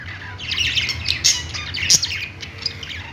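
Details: Budgies singing on a perch in a pet store: a dense overlapping chatter of high, scratchy chirps and squawks, with a sharper squeak near the two-second mark over a steady low hum.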